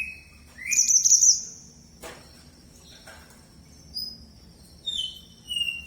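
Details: Red mantenan bird in lively song: a loud, high buzzy trill, then a click, then soft falling whistles, with a thin continuous high tone behind.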